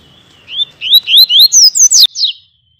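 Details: A captive male Yellow-bellied Seedeater (papa-capim), singing lightly on cue, gives a quick two-second phrase of about eight high, slurred whistles, rising and falling, closing with a sharp buzzy sweep. Nothing else is heard.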